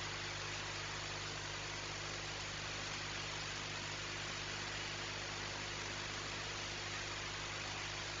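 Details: Continuous dense static hiss with a faint steady low hum, and nothing else audible.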